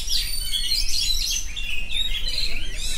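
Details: Oriental magpie-robin singing nonstop in the ngerol style: a dense run of high, rapidly shifting whistles and chattering trills with no pauses, over a low background hum.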